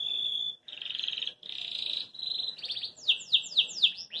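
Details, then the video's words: Belgian canary in a cage, singing joyfully and jumping about. A flat whistle leads into buzzy rolled trills, then a series of four sharp downward-sweeping notes repeated about every quarter second. "CANÁRIO BELGA CANTA PORQUE GOSTA"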